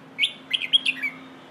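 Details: Single lively phrase from a red-whiskered bulbul in the "phleng ho" style meant for teaching young birds: a rising whistle, then a rapid tumble of sharp notes ending in a falling slur.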